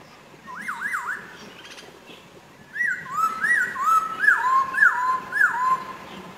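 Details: Masked laughingthrush lure call, natural recording: clear whistled notes that rise and fall in looping swoops, a pair, then a pause, then five or six more in steady succession, over faint background hiss.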